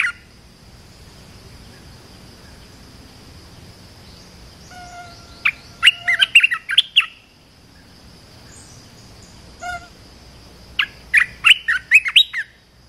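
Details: Red-whiskered bulbul singing as a training song for young birds: two bursts of quick, chattering, whistled phrases separated by a pause. A steady high electrical whine and low background rumble run throughout.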